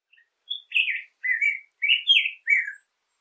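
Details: Black-headed grosbeak singing: a series of about six rich, warbled phrases between mid and high pitch, each roughly a quarter second long with short pauses, some sliding downward, in a clean recording without background noise.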